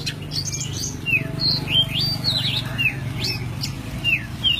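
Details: Forest-fill master song of a white-breasted oriental magpie-robin (kacer poci) for training songbirds: crisp whistled slurs and sharp high notes spaced through the phrase, over a steady low hum.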